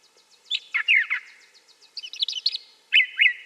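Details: Song of a brown thrasher, loud and clear, with quick bursts of rapidly repeated chirpy notes and doubled phrases separated by short gaps, plus a faint rapid ticking series in the background.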